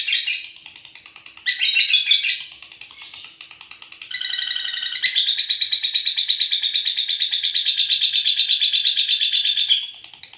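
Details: A pair of lovebirds calling noisily at night in full chatter: shrill, buzzy high-pitched twittering in rapid pulses, short bursts at first, then a long unbroken run of fast repeated notes from about five seconds until near the end.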